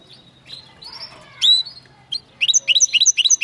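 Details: Song of a linnet crossed with a canary, beginning with quiet twitters and a loud whistled note, then breaking into a quick run of clear, repeated high phrases about four per second.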